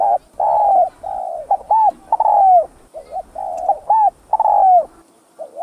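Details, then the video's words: Spotted dove from Vietnam cooing in the thúc gù manner meant to excite rival birds: rounded hollow coo phrases, long steady notes broken by short hooked ones, about every second, with a quiet background. "CHIM CU GÁY VIỆT THÚC GÙ HAY"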